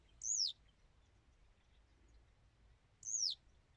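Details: Two high, thin, squeaky notes from a Western yellow wagtail, each slurring smoothly downward, spaced nearly three seconds apart, with near silence between them.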